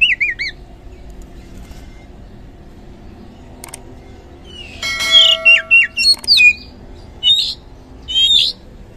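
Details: Oriental magpie-robin lure song, 'gacor ngeplong' style, for prompting quiet birds to sing: a brief wavering whistle, a long pause with a sharp click, then loud slurred whistles and buzzy notes in quick succession.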